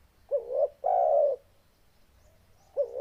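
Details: Spotted dove, a captive songbird kept for its loud, deep cooing, giving low hollow coos: a short wavering note, then a longer steady coo, with another short note beginning after a pause of about two seconds.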